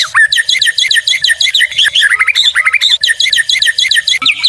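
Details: Dense, lively song of a white-rumped shama for tutoring and provoking other birds: a rapid jumble of chattering notes, upward-slurred whistles and quick trills running without pause.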